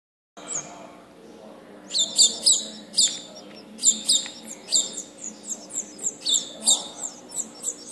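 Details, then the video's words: House finch (Carpodacus mexicanus) chicks being hand-fed give high, thin chirps in quick repeated bursts, about two a second, over a low steady hum. "Alimentando polluelos de gorrion (carpodacus mexicanus)"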